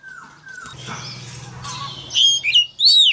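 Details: Male Oriental magpie-robin singing to stir a young bird into song: a low hum and faint noises at first, then a few loud, clear whistled phrases, one dropping and one swooping.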